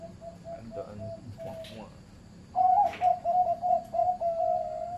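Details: Zebra dove with a medium-pitched voice, farm-bred, giving a fast series of short, clear cooing notes at a steady pitch after softer earlier phrases, about three notes per second; faint speech-like sounds in the background.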